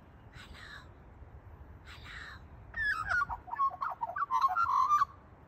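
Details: An Australian magpie in Australia, responding to a person's call, gives two short harsh notes, then a rich burst of fluty, warbling, gurgling notes over about two seconds.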